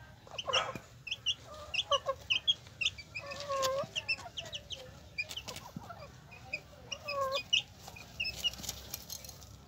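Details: Hen with her chicks: the hen gives repeated low, bending clucks while chicks peep shrilly all around, over a humming background.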